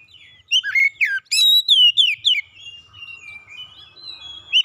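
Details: Cage-kept white-rumped shama singing for stress recovery: loud rich whistled phrases with swooping slurs, followed by quieter drawn-out thin whistles and a final sharp note.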